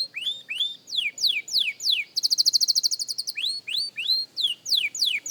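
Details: Young canary practising song, descending whistles in an even series, a bright fast trill of short high notes in the middle, then the whistled sweeps resume, clear and close.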